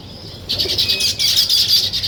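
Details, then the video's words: Weaver birds at work on their nests: after a brief quiet start, a burst of shrill, rapidly repeated chirps from several birds fills the rest. "Natural Sparrow Chirping Sounds | Weaver Birds Building Nest"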